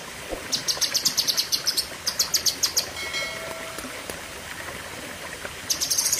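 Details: Cucak kinoi delivering a fierce 'pedes panjang' burst of song: rapid, sharp, high-pitched chattering pulses in quick runs, a pause with faint tones, then another quick burst at the end.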